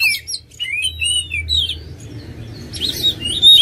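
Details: Oriental magpie-robin song, played to provoke other birds into singing: a few short rising and falling whistled phrases at the start, a quiet gap, then a brief burst of notes at the end over a low hum.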